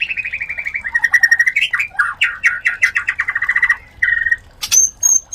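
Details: Mating white-rumped shama: fast trilled runs of mid-pitched notes, a few sliding phrases, then short pauses and a sharp high whistle; the sound is played to stimulate other shamas to breed.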